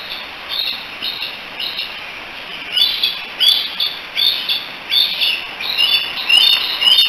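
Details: Three bald eagle eaglets at a nest in Decorah on 16 July 2018, chattering together and calling for their mother: high, thin chirps and squeals repeated about every half second, growing louder and more frequent toward the end.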